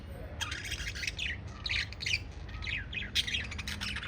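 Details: Kept lovebirds making rapid, scratchy chirps in dense clusters, calls following one another almost without pause, with a low hum underneath.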